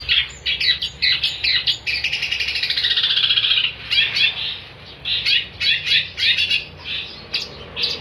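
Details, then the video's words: Long-tailed shrike (cendet) in energetic, nonstop 'gacor' song, used as tutor material for songbirds: rapid harsh chattering notes, then a sustained buzzy scratchy run in the middle, followed by further spaced bursts of chatter. "kicauan cendet gacor"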